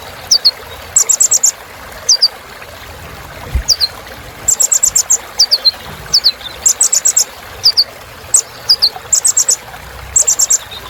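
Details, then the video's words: Filler song of the kolibri ninja, a sunbird, meant to excite kept birds: clusters of five or six sharp high chips interspersed with thin falling whistle notes, repeated regularly. "Suara Kolibri Ninja Isian Mewah Bikin Burung Semangat"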